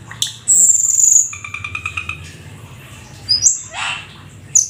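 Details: Black-winged starling, a rare exotic bird, in lively 'gacor full isian' song: a loud high whistled note sliding downward, then a rapid series of buzzy, rattling pulses, a brief sharp whistle, and a harsh noisy burst, over a faint low hum.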